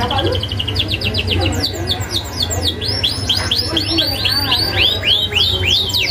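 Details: Canary delivering a sharp rolling song in the Indonesian 'isian ngerol' style, a training model for young birds: long run of rapid arching high notes, rolled several per second and building in strength, with low hum behind.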